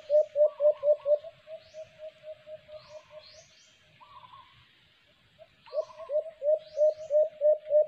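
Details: White-eared brown dove (alimokon) heard during a cage-trap bird hunt: bursts of short, low hooting coos spaced about three per second, a loud run at the start, a softer run mid-way, then a loud run again, with faint chirps behind.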